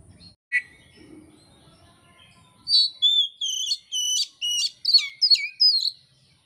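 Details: Oriental magpie-robin singing, used by Indonesian songbird keepers as training material: after a quiet start, a fast string of high, sweet whistled notes and sharp chips repeated about every half second, bright and varied.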